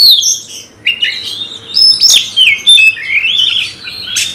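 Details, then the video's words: A captive Oriental magpie-robin (kacer), worked up into a fighting mood, pours out a loud, fast, varied song of sliding whistles and harsh chattering notes, mostly high-pitched, with a faint low hum behind. "nembak lawan tarung KACER BRUTALISME"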